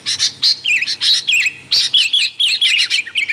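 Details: Noisy sooty-headed bulbul heard in a lure recording: short, bright chirps and little curling whistles in separate bursts, roughly one or two per second, somewhat irregular.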